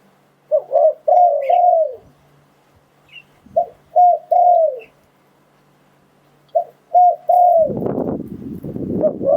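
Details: Spotted dove coos used to decoy wild doves; three phrases of short notes and a longer falling coo separated by pauses, faint higher chirps, and a burst of rustling noise near the end.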